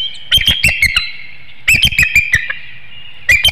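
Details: Eagle at its nest on a webcam in Hanover, Pennsylvania, 7 April 2019 at 6:36 PM, crying a warning as an intruder, possibly a juvenile eagle, passes through the woodlot; three bursts of high, squeaky chattering notes, each descending slightly.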